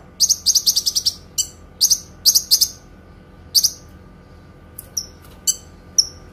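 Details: Clear long-burst Kinoi song meant for training cage songbirds: quick clusters of bright high notes in short stuttering runs, a pause, then scattered thin whistled chirps.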